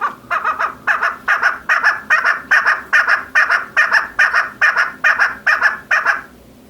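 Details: A female chukar partridge gives a steady chain of coarse, clucking chuk notes, evenly spaced at about two and a half per second, some fifteen repeats, then silence.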